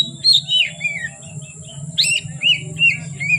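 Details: An oriental magpie-robin sings from afternoon into dark, giving a few clear whistles and falling slurred notes, brief pause, then repeated rising-falling whistled phrases, with a constant low hum underneath.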